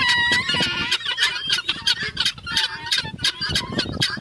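Guineafowl give harsh, grating calls in rapid bursts, about three per second, with a thin whistled tone at the start and a noisy barnyard backdrop.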